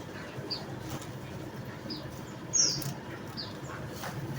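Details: Javan munia (emprit bondol jawa) uttering a few sparse, faint, high-pitched chips, one louder note midway, against low background hiss and rumble.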